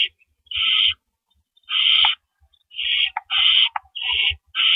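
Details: Nest of owls at night on April 4 2012, adults bringing rabbits as food; rasping hissing screeches follow in quick succession, a few interrupted by brief clicks, with soft low bumps beneath.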